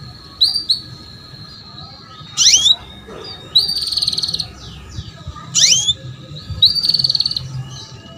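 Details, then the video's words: Female canary luring a male to sing, a lure meant to get young canaries singing: sharp swooping chirps alternate with short buzzy trilled notes, roughly every second, over steady low hum. "KENARI BETINA MEMANCING JANTAN || PANCINGAN KENARI PAUD AGAR BUNYI"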